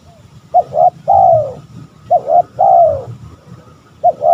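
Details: Spotted dove calling to provoke rivals. Phrases repeat roughly every one and a half seconds, each a quick pair of short notes followed by a drawn-out, downward-sliding coo, over a low steady hum.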